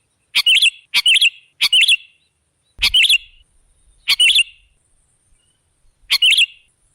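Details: Sooty-headed bulbul song used as a lure to draw other birds: short, bright two- to three-note phrases, the notes bunched tightly together. Six phrases come at uneven gaps over seven seconds with silence between them.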